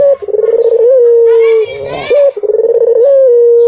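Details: White Barbary dove cooing as a lure, rolling then steady low tones with small rises, a brief voice-like sound in the middle.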